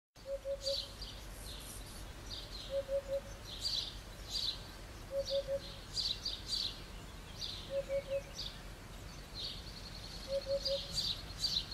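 A Eurasian hoopoe gives soft, low, hollow triple hoots, oop-oop-oop, repeated about every two and a half seconds. Higher chirping from other birds carries on throughout.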